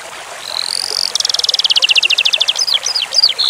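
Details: Eurasian skylark song used as a training recording, paired with flowing water for relaxation: a high whistled lead-in, then a fast run of rapidly repeated trills and chirps high in pitch, over a steady background hiss of running water.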